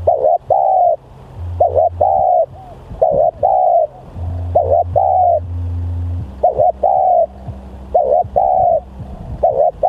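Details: Spotted dove giving steady repeated coos, each a brief paired note running into a longer coo, phrases about a second apart, with a faint low hum underneath.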